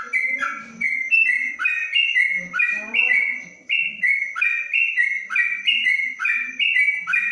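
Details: In Kebumen, a caged yellow-vented bulbul under a cage cover delivers a long ropelan song of quick bubbling whistles, repeated steadily with brief pauses, with soft background chatter.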